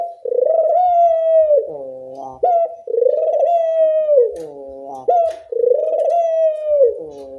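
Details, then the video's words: Barbary dove giving loud coos meant to train other doves to call: three drawn-out, resonant notes, each held about one and a half seconds with a falling tail, separated by brief clipped rising notes. "Pancingan puter bersuara nyaring, melatih bunyi semua jenis burung puter"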